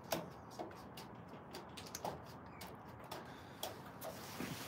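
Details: Irregular sharp clicks and knocks over a low steady hiss, like tapping or a ticking clock.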